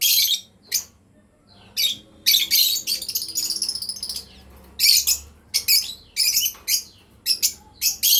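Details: A breeding pair of lovebirds giving shrill, scratchy chirps in dense irregular bursts, several running together into longer chattering stretches, with short silences between and a low hum beneath.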